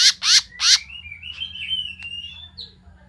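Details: Bulbul lure recording for attracting birds: three loud harsh chirps, then a long wavering whistled note sliding gently upward, ending in a short high note.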